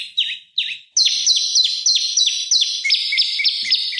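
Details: Prenjak lumut singing as a magpie-robin lure: two slurred descending notes, then a fast, insistent stream of sharp chirps about three per second, in a clean recording.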